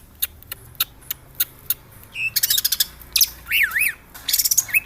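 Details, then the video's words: Greater green leafbird (cucak hijau), Jogja: sharp isolated ticking clicks at first, then bursts of rapid buzzy notes and looping whistled phrases that swoop down and up. "CUCAK HIJAU GACOR"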